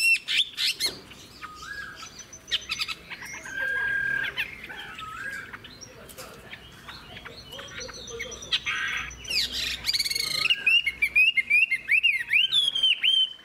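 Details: Caged adult Chinese hwamei, wild-caught, long-bodied with a fig-leaf tail: scattered chirps and scratchy notes over a busy background, then a final stretch of loud whistled phrases with sharp up-and-down slurs in rapid bursts.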